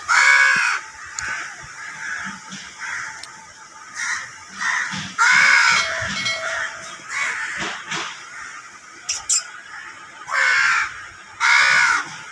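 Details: Baby crow begging while being fed: harsh, loud, raspy caw-like bursts, some drawn out nearly a second, in irregular bouts separated by quieter rustling and short gaps.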